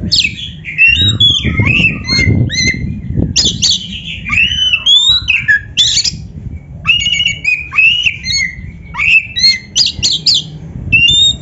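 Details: Oriental magpie-robin training song, long and varied: dense runs of chattering, rasping notes and looping whistles repeat with hardly a pause, over a low rumbling background noise at the start.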